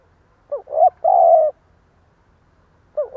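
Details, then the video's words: One full halting coo from a decoy spotted dove meant to excite wild doves: a hooked rising note, a brief coo, a long steady coo, then silence until the next phrase begins. A faint low rumble lies underneath. "Tiếng chim cu gáy gù cà lăm gáy thúc gù kích bổi"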